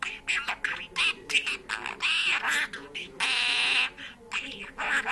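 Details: Pet parrot talking and singing in Georgian, a run of raspy, bird-pitched syllables with a drawn-out nasal note near the middle, phrases broken by short pauses, recorded indoors.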